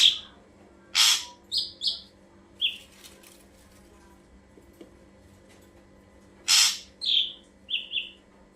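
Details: Ashy drongo song used to draw other birds: two phrases of a harsh rasping burst followed by clipped whistled notes, separated by several seconds of near silence with faint clicks.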